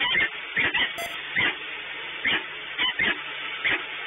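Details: Peregrine falcon at the Orlen site in Płock: grating, repeated calls in short bursts of uneven spacing, with a brief high electronic tick near the start and a continuous low hum underneath.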